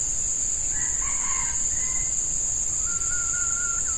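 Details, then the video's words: Red junglefowl in the field during luring of wild males with a hen decoy; a single harsh crow of about a second with a clipped ending, followed by a thin whistled note from another bird, with steady insect buzzing. "Ayam Hutan Pikat Betina"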